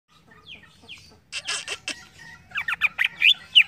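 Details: Green leafbird (cucak ijo) song used to get untrained birds answering. Soft chirps open, then loud clicky bursts and quick rising whistles that grow louder toward the end.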